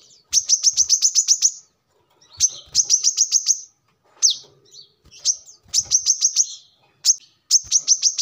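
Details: Song of a brown-throated sunbird, offered as a lure or training model for birds: rapid bursts of high, piercing repeated notes, about eight per burst, broken by short silences and a few isolated sharp chips.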